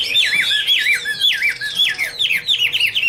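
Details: Chinese hwamei repeating loud, down-slurred whistled notes with a hooked ending, roughly two a second, in a lively, patterned phrase.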